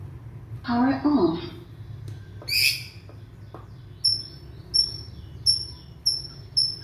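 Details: Young white-rumped shama from Indonesia singing to draw out silent shamas. A low harsh note and a brief high burst lead into a thin, high whistled note repeated about every 0.7 seconds.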